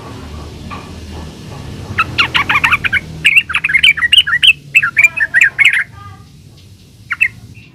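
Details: Yellow-vented bulbul in gacor ulpik ropel song style, used as a lure to draw replies from other bulbuls; quiet start, then a quick run of bright chirpy notes from about two to six seconds and one last short note.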